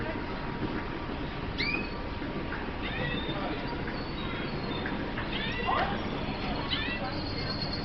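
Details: F1 red siskin birds, described as tropical birds from Colombia, giving short bright upward-sweeping chirps and twittering notes scattered across the recording, some in quick pairs, over a constant low hum and dense background noise.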